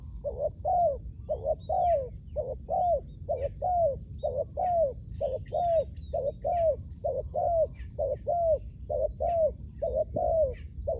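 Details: Captive spotted dove luring wild doves on the ground, cooing in a long unbroken series of low paired notes, a quick hoot and a longer downward slur, repeated very evenly, with faint twittering of other birds.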